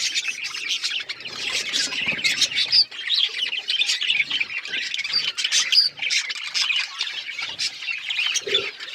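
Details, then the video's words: A crowd of Australian parrots keeps up a steady, noisy twitter, with rapid clicks, chirps and harsh squeaky notes layered over each other throughout. "Beautiful Australian parrots video Birds chirping sounds"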